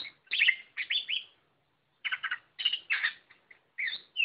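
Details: Song of a white-rumped shama: bursts of loud, varied whistles and chattering warbles in quick phrases, separated by brief silent gaps.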